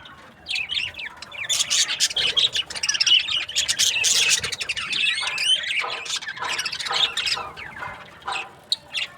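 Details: Breeding-pair budgies produce a dense, nonstop stream of scratchy chirps and twittering warbles that fades slightly toward the end.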